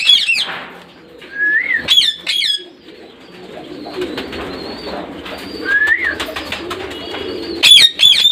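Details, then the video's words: Parrot calls: a few loud harsh squawks, two rising whistled notes, and long stretches of low murmuring chatter between bursts. "Sounds of parrot"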